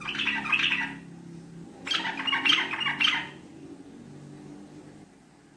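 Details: Sooty-headed bulbul lure song in the 'ngekek' chattering style: a bubbling burst, a pause, then three quick harsh chattered notes in succession, ending with a faint click.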